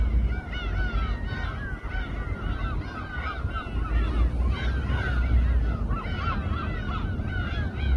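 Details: A chorus of gulls crowding above a fishing boat at Samgilpo harbour in Seosan, Korea; dense, continuous overlapping nasal, down-curving cries from many birds over a constant deep rumble of engine and wind.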